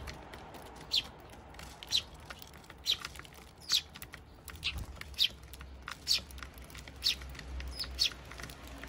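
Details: At a Japanese bird feeder in June 2023, Eurasian tree sparrows and their young feed; quieter, thin high chirps recur about every second, nine in sequence, against faint background rumble.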